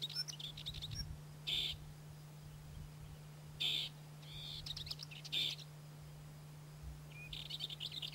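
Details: Rock bunting, a rare or passage bird in Corrèze, France, gives thin, very high, short 'tsi' calls several seconds apart, with a few fainter chirps between them and a low steady hum underneath.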